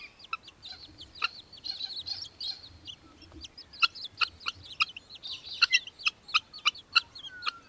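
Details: Little falcon, the Australian hobby, in Victoria, Australia, December 2023: scattered hard notes build into a quick, uneven series of harsh clipped calls during the second half, with other small birds chirping behind.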